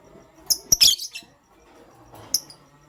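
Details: Pastel gray and green lovebirds in the morning: a quick cluster of sharp, high, harsh chirps near the start, a short quiet gap, then one more bright chirp with a brief echo.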